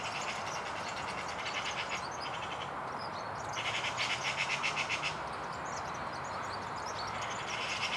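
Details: A European serin sings high, fast, sizzling jingles in three bursts of one to three seconds each over a steady rushing hiss, perched only a few metres away and unafraid; magpies and crows later partly cover its song.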